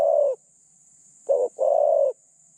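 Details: Caged decoy spotted dove, described as having a medium-pitched voice with light phrasing, gives the tail of one long coo, then a full phrase: short wavering note and a sustained, level hoot; background otherwise silent.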